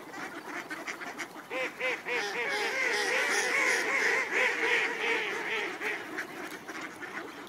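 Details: Ducks being fed at Cuerden Valley Park during a walk in the snow: a dense, overlapping chorus of nasal quacks, several birds calling together at roughly three calls a second, building and staying loud throughout.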